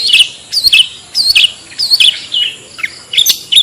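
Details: Clear 'toet toet' lure sound of a long-tailed shrike, played to draw other shrikes in; bright chirping notes that curve upward and then drop, repeated in small clusters about every half second.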